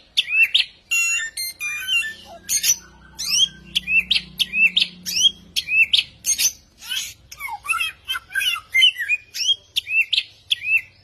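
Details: Samyong singing hard with many varied sounds: a dense stream of high chirps, trills and sliding whistled notes in quick succession, with a brief low rumble early on.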